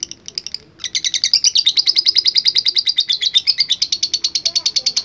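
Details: Lovebird delivering its drawn-out ngekek trill, used as a training recording. A few separate chirps lead into a dense, high, machine-like chatter of rapid pulses lasting over four seconds.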